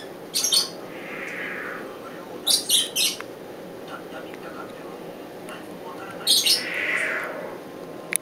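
A young northern white-faced owl gives short, harsh, hissing screeches in three spaced bursts, some doubled or tripled, in a quiet room.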